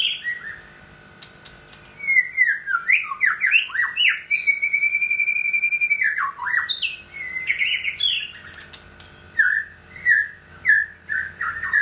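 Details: Caged male white-rumped shama in second molt going into third, singing indoors: varied loud whistled phrases, slurred up-and-down notes and a long steady whistle, with some harsh squeaky notes and a faint constant hum in the background.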